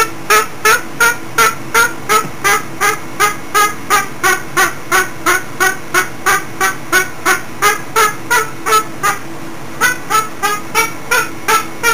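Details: Cockatoo kept as a pet, singing energetically: a long steady series of about thirty-two raspy, nasal honks at nearly three per second, briefly pausing near the end before resuming, over a low constant background hum.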